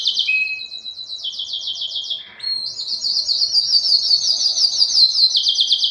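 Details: Canary singing to attract females for breeding, a high, fast tour of rolled trills with a short low buzzy note in the middle, then a long bright rattling trill.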